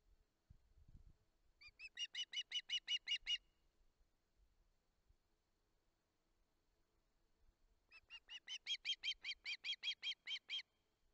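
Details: Two bursts of urgent begging from a hungry osprey chick on a live-camera nest in Barlinek, July 2023: each burst is a rapid string of shrill whistled notes that swell in loudness, separated by a quiet pause.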